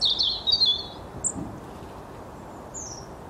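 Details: Long-tailed tit giving a quick burst of very high, thin, trilled notes in the first half second, then two brief high squeaks later, over a steady low background rumble.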